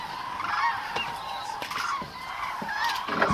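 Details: Large gathering of common cranes, Agamon Hula, October 2012, heard as a steady wall of overlapping trumpeting calls, rolling and resonant, with a few louder bugles rising above the mass.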